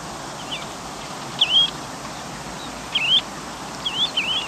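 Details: Semipalmated plover calling at medium-close range among Western and Least Sandpipers near Chincoteague: sharp, upslurred whistled notes in short bursts, about five calls, over a heavy, steady background hiss.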